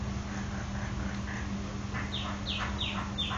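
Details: Nias hill myna delivering a quick run of four sharp, down-slurred whistles in about a second and a half, after quieter murmured notes, over a constant low background hum.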